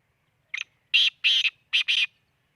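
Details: Grating call of a black francolin recorded at Khushab: a clipped opening note followed by a drawn-out harsh doublet and a closing pair of scratchy notes, clear and close in otherwise quiet surroundings.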